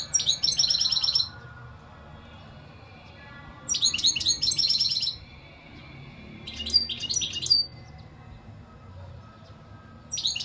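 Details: European goldfinch song in four spaced bursts of rapid, bright chattering twitters with sharp whistled notes, each burst lasting one to two seconds between quiet pauses.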